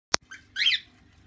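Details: A pet cockatoo gives a short rasping note, then a loud harsh screech lasting about a quarter second, preceded by a sharp click.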